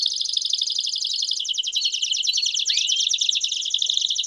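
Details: Campainha-style canary song with piados, meant for training young canaries: a dense, high, rapid trill that changes texture midway, with a brief rising slur near the end.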